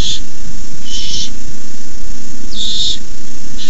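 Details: Owlets of the barn owl hissing at night while an adult delivers a rabbit, 18 May 2015, 9:57pm: a few loud, noisy, drawn-out hisses with gaps of over a second, constant low hum beneath.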